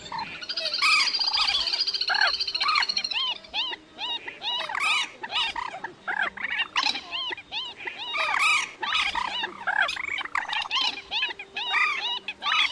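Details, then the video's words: White-breasted Waterhen calls used as a night net-trapping lure during the August 2024 migration season: harsh, croaking notes poured out in quick, overlapping series like a dense chorus, with a faint hum beneath. "Tiếng Quốc Mốc"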